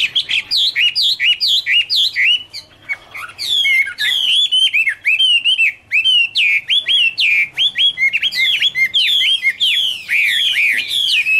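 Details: Chinese hwamei (Garrulax canorus) singing its autumn song: a long, nearly unbroken flow of loud, warbling whistles, quick rising and falling slurs with a brief lull before resuming.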